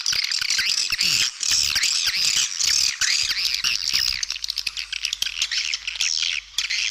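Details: Swiftlet calling sound intended to draw birds to nest, played for feeding zones and flight paths in a stereo mix. Repeated squawking chirps, each bending down then up, come about twice a second, densely overlapping.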